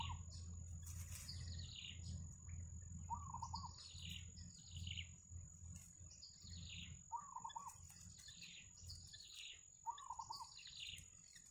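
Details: Wild yellow bittern family with chicks at the nest: repeated mid-pitched wavering notes every two to three seconds, each paired with clusters of high, falling chirps, above a steady low hum and a thin constant whine.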